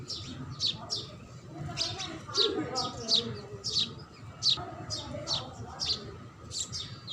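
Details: House sparrow chirping steadily, about a dozen high, clipped chirps roughly every half second, over a low murmur and faint hum.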